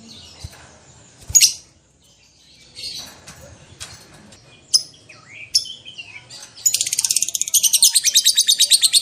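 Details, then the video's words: Lovebird call meant to set other lovebirds chattering back: scattered sharp chirps and a brief upward slur, then a fast, shrill, rattling trill of rapid repeated notes building to the end, known to keepers as ngekek. "PANCINGAN LOVE BIRD PALING GACOR - Bikin semua jenis love bird langsung emosi nyaut NGEKEK PANJANG"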